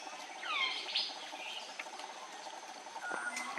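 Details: Andaman bulbul, close range, Andaman Island, India, March 2020; a loud pair of swooping chirps opens, followed by softer scattered notes and a short whistled phrase near the end.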